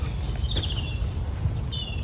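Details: A European robin in El Retiro park in early April sings thin, high, sliding whistles in a few short, wavering phrases, half-buried under a steady low rumble of background noise.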